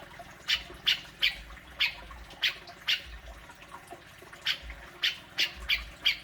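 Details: Grey-cheeked bulbul in a besetan singing style, used to provoke a kept bird into singing: sharp, short bright notes repeated roughly every third of a second in uneven bursts, over a steady low hum and faint background noise.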